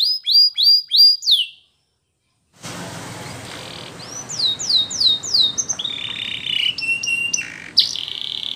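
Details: Belgian canary: a short run of quick rising notes, a pause, then softer swooping whistles and sustained tones over noticeable background hiss.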